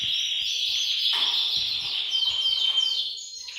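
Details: Several canaries singing together in a bird room to motivate males to sing; bright high trills and descending rapid note series overlapping, with a sustained whistle near the end and a few soft clicks below.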